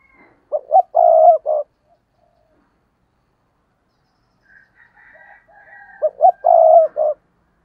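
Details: Decoy spotted dove calling to lure others. Two identical low phrases about five seconds apart, each with short coos around a long purring note, and faint higher chirps between them.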